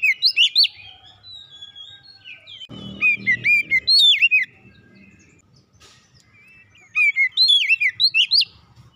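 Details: Domestic Oriental magpie-robin singing bright, varied whistled phrases in bursts of rising and falling notes, with a few low thumps in the background.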